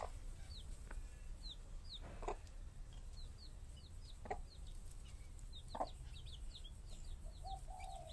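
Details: Mother hens with chicks give a few isolated low clucks spaced about two seconds apart. Many thin, falling chick peeps continue throughout, with a longer drawn-out note near the end and quiet background hiss.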